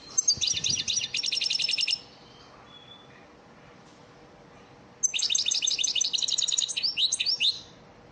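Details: European goldfinch performing the elmacık lesson song meant to train caged birds: a fast, high, liquid trilled phrase of about two seconds, a three-second pause, then a longer trill ending in twittering notes.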